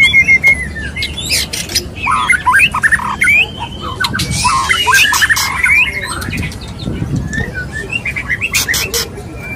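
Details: White-rumped shama male courting a female: scattered harsh squawks and clicks alternate with short whistled slurs and chattering bursts, delivered in irregular fast phrases.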